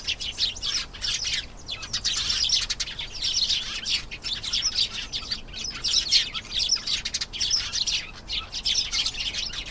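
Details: Canary song running steadily through the recording: dense, bright trills and twittering notes, rising and falling in loudness, with short pauses near the start.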